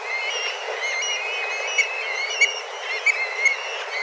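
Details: Many black kites circling and calling intensely while looking for food, coming at a fixed time daily; a steady chorus of faint whistled mewing notes with a few brief sharp clicks.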